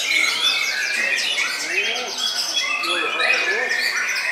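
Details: Bowing white-rumped shama in rich, unbroken song: rapid cascades of high whistles and trills layered over rhythmic chattering notes, with faint lower arched calls beneath.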